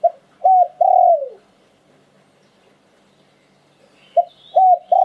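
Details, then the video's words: Spotted dove, an auspicious bird, singing liu tan style. Low mellow coos in two phrases, short-short-long with the last note sliding down, a pause between and faint high chirps near the end. "หลิ่วตัน คารม นกมงคล เสียงนกเขาใหญ่"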